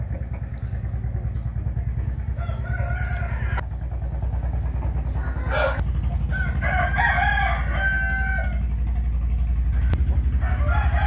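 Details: Roosters crowing in the morning, 8 April 2021: several hoarse crows, some distant and one louder and longer near the middle, over a heavy, pulsing engine-like rumble.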